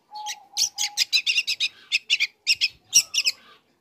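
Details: Young long-tailed shrike in full song, learning material meant to provoke other shrikes: a brisk series of bright, sharp chirps repeated in quick succession after a thin steady whistle.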